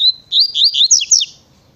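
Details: Coleiro, the double-collared seedeater, delivering a fast tui tui style phrase: a clear whistle leading into a rapid run of rising and dipping slurred notes, loud and close, ending abruptly.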